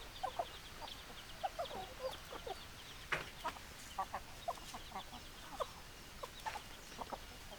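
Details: Hens cluck in short, scattered, soft notes against a steady broadband background hiss, with a few sharper clicks standing out.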